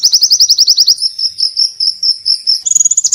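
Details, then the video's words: Ngalas-style white-eye song for training birds, sung nonstop: a quick series of bright high notes gives way to a wavering, warbled whistle, ending in a fast, thin, very high trill. "Masteran pleci bunyi ngalas Gacooor"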